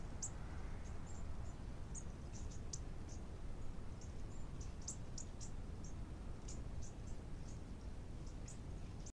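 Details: Several very high, brief, thin notes from Bushtits feeding on the ground, scattered unevenly through the recording with short gaps, above constant low-pitched background noise.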